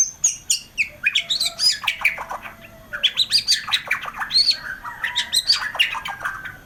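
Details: Vigorous 'gacor' song of a white-rumped shama: a rapid, varied stream of chattering notes mixed with whistled slurs and high sweeps, rising and falling in quick succession with barely a pause.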